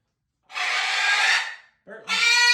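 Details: Macaws at dinner while being fed: a long, broad, rasping screech followed after a short gap by a harsher, more tonal squawk.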